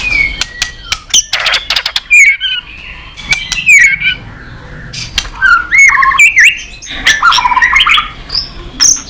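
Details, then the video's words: Competitive-singing white-rumped shama in long continuous song: loud clear whistles sliding up and down, interspersed with harsh squawky notes and sharp clicks, phrases delivered rapidly and varied in pitch. "Chòe lửa kéo dây suối dài"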